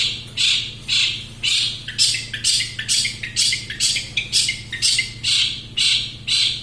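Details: Long-tailed shrike song, a super-active competition-style bird, giving harsh broadband rasping notes about twice per second in a steady series, with a low steady hum underneath.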